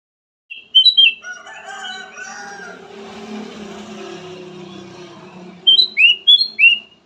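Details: Golden bulbul (kutilang emas) song of clear whistled notes. A quick burst of rising and falling whistles is followed by a low, murmuring stretch, then another run of bright, slurred whistles.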